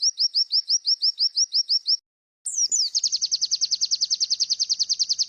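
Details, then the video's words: Masteran tutor recording joining 'wit wit' calls with bar-winged prinia (ciblek) song for caged pleci, sogon and konin: a steady run of about eleven high upslurred 'wit' whistles, a short gap, then a rapid buzzy high chipping trill. "MASTERAN WIT WIT SAMBUNG CIBLEK"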